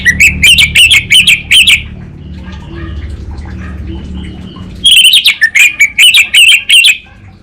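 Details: Orange-headed thrush from North Bali, Singaraja, singing vigorously: two bursts of rapid, clicking, chattering notes around a sharp whistled line, with a quieter low hum between them.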